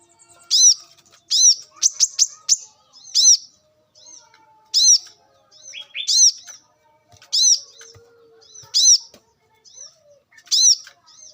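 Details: Brown-throated sunbird in the wild, sound meant as a lure: repeated loud high arched chirps with a short burst of rapid ticks early on and thin slurred whistles between.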